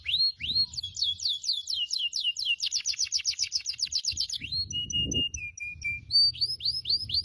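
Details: Canary in full song, meant for training other canaries: a rising whistle opens into rapid repeated trills about four notes a second, then flat held tones and sharp upward chirps, with faint low knocking behind.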